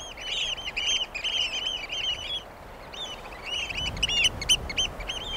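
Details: Eurasian oystercatcher, the common pied oystercatcher, giving shrill, high piping notes in fast, overlapping runs, each note arched and ringing, with a brief lull near the middle before the piping resumes.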